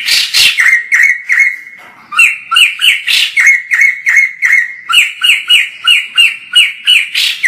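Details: White-crested laughingthrush (poksay jambul), singing actively and recorded from far off: a long series of loud whistled notes with harmonics, some held level, others short and bending, repeated about three times a second.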